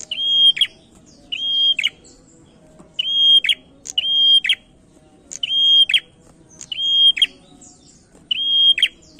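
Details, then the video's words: Male prinia used as a lure to get other birds singing: a steady high whistled note followed by quick sharp chips, the phrase repeated about every 1.3 seconds against faint low background noise. "PRENJAK JANTAN MULUS GACOR PANCINGAN"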